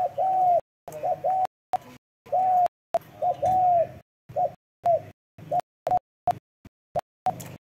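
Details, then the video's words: Spotted dove cooing in short mellow phrases: a long falling croo, then clipped hooting notes, about one per second, repeatedly chopped by sudden dead silences. "CHIM CU GÁY SIÊU GÙ"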